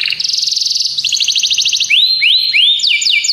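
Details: Belgian canary singing a training song: rapid pulsed trills shifting in pitch, followed by looping upward-arched whistled notes.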